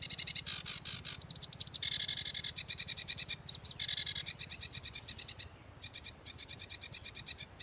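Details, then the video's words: Sedge warbler singing a varied 'tembakan' song: fast, dry buzzy chatter repeated several times a second, broken by a brief run of high clear whistled notes, with a low rhythmic hum underneath. "kicau tembakan variasi sedge warbler"kerakbasi alis hitam""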